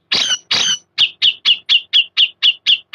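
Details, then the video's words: Grey-cheeked bulbul giving beset and ngepik sounds: two broad, harsh rasping bursts, then about nine sharp, high pik notes spaced roughly a quarter second apart. "Cucak Jenggot Beset Ngepik"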